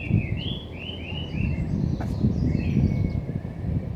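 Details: Birds calling among the roses at Hakkeijima: a run of clear, down-slurred chirping notes in quick succession, then a longer thin note, over a steady low rumble of outdoor background noise.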